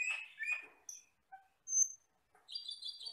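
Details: Asian glossy starling, a wild forest bird that is jet black with red eyes, singing: sharp chirps followed by short, high, thin whistled notes and a closing run of buzzy, fluttering high phrases.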